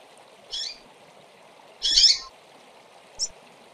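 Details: Calls of female double-collared seedeaters, used to fire up males: three brief high chirps, the middle one longer and harsher, separated by pauses, over a constant low background hum.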